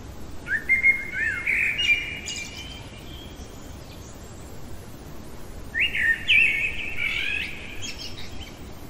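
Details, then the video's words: Common blackbird singing in the middle of the night: two separate phrases of fluted, warbling whistles, each ending in a higher squeaky twitter, with a quiet pause between, over a steady low background hiss. "Merle chantant au cœur de la nuit"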